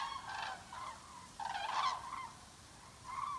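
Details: Common cranes migrating, a flock circling over Altfriedland, a European bird protection area in Germany; loud, rolling trumpeting calls, several overlapping bugles in irregular bursts against a faint background hiss.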